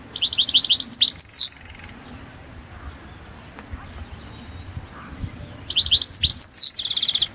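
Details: European goldfinch of the Balkan subspecies, Carduelis carduelis balcanica, recorded for a goldfinch singing championship: bursts of rapid, high twittering notes at the start and end, separated by a quiet pause with faint background noise.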